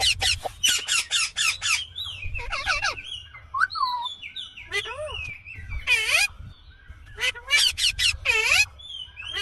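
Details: Harsh, rasping screeches from an Indian green ringneck parakeet come in clusters, mixed with softer whistled slides and descending chattered notes, almost without pause.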